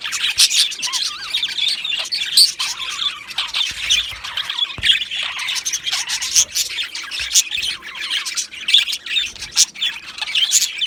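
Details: Continuous chattering of two male budgerigars from Australia, a scratchy mix of fast chirps, squeaks and warbles layered over one another for the whole stretch.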